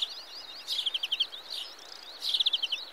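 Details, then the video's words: European greenfinch (Carduelis chloris) gives two quick twittering trills of about seven bright, high notes each, over soft continuous chirping; no other sounds intrude. "Greenfinch - (Carduelis Chloris) Sound"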